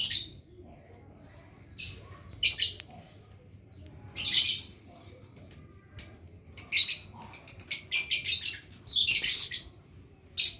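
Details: Caged lovebird learning the long trill, giving broad, harsh chirps in bursts, first spaced out, then a denser run of rapid repeated notes toward the end, with low background hum.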